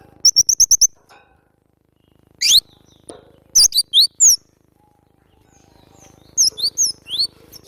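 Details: Training recording of a cinereous tit (glatik batu) for cage birds: a fast stutter of six sharp high notes, then separate loud downslurred whistles and a closing run of rising and falling whistled notes.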